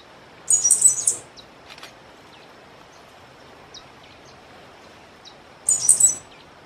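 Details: A Sooty Grassquit singing persistently gives a thin, very high, buzzy song phrase, repeated after a pause of several seconds.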